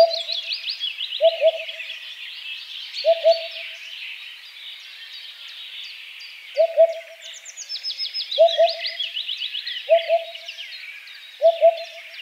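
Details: Eurasian Hoopoe singing soft, low 'oop-oop' phrases of two to three notes at uneven intervals, while many other birds whistle and trill at higher pitch throughout.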